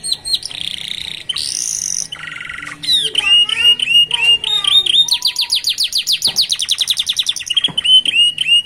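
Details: Young canaries singing by the roadside in a distinctive rhythm: a buzzy high trill, a lower rasping note, then rapid repeated downward-sweeping whistles and short chirps, loud and continuous.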